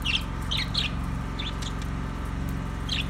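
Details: Budgerigar chirping in a quick cluster of high, slightly warbled notes, then a pause and one more chirp, over a persistent low mechanical hum.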